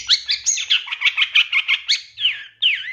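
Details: Long-tailed shrike master recording with fill-in phrases for training captive birds: rapid warbled chatter of rising and falling notes about three per second, then two long down-slurred whistles and a final upslur.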